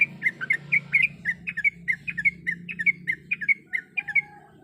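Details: Sooty-headed bulbul female in breeding condition calling the male: quick bubbly chirped notes, each a short rising-falling twitter, repeated in a steady run of about a dozen phrases, with a low hum underneath.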